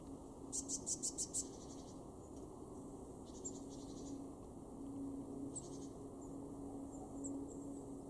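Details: Blue tit in a garden in Weener, East Frisia, northwest Germany, in January 2023, giving a quick burst of about seven thin, very high notes, then scattered fainter high calls, over a steady low hum.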